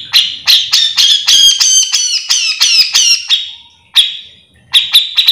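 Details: Cucak jenggot, a bearded bulbul, singing in full lively form for use as a training recording; harsh, buzzy phrases with rapid stuttering notes run for about three seconds, then brief sharp single calls after a pause.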